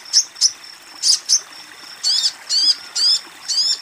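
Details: A female sogon calls to a male. Four short, sharp high chirps in two pairs are followed by four longer, harsh, buzzy notes that bend downward, spaced about half a second apart.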